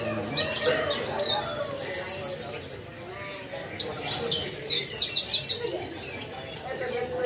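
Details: Javan bush lark singing vigorously, a recording meant for tutoring other cage birds: quick bursts of high, thin repeated notes in short runs, several sets of rapid chirps, over a low murmuring background.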